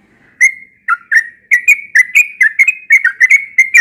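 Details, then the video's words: Yellow-vented bulbul in morning song, delivering a rapid stream of rich, gurgling whistles that bounce up and down, starting after a short silence and running continuously to the end. "Burung trucukan yang sering berkicau di pagi hari"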